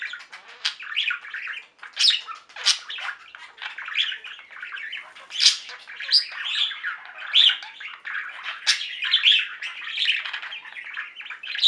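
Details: Pet budgerigar flock chattering and singing: irregular bursts of squawky chirps, high squeaks and grating warbles, a short pause near the start, then nonstop overlapping calls.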